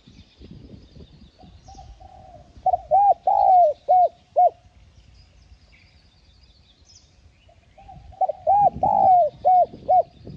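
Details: Spotted dove cooing, used to stimulate other doves. Two bouts of rhythmic low hoots, each a run of about six short, looping mellow notes with one longer hoot in the middle, over faint rustling and distant chirps.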